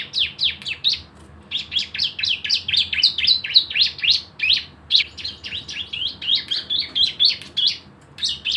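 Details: Energetic Javan white-eye delivering rapid 'nembak bren' song as a lure to make birds sing: near-continuous volleys of high, sharp, slightly buzzy chirps, about four per second, with brief breaks.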